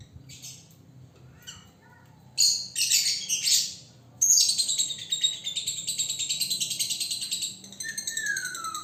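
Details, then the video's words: Single male lovebird, caged and in training, showing the chattering konslet style: quiet scattered chirps, then loud buzzy rapid chatter from about 2.4 seconds, a brief pause, and a long unbroken harsh trill ending in a falling whistle. "Love Bird Jantan Prospek Konslet"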